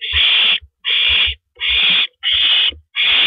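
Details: Evening prey delivery by a male barn owl at the nest, April 9, 2012, 8:45 PM. Loud, rasping hiss-screeches repeated steadily, about five in three seconds, each broad and noisy, with low knocking sounds beneath.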